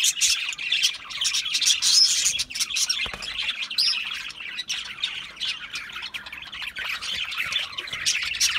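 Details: Budgerigars giving a continuous, dense warbling chatter of many overlapping squawks, chirps and whistles with no pause across the whole stretch.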